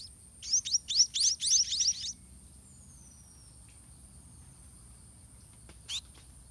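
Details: White-rumped munia nestlings begging in the nest during feeding by a parent; a short two-second flurry of shrill, rising chirps, then near silence with a single faint chirp later.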